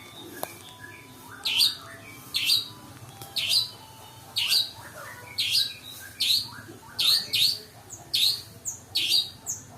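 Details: Long-tailed Shrike lure recording with fill-in song: scratchy, buzzy notes with a whistled rising core, delivered in irregular bursts that quicken toward the end, with soft twitters between them.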